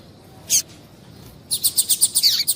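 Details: Female double-collared seedeater calling to stimulate a male: one sharp high chirp, a pause, then a rapid, regular burst of about ten bright ticking notes.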